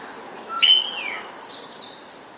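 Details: Spotless starling giving one loud, clear, falling whistle with bright overtones, then a fainter, thin, high whistle about a second later.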